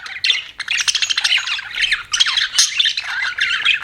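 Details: Pet budgies in a rapid stream of bright chirps and scratchy squawks, overlapping and almost without gaps for a few seconds.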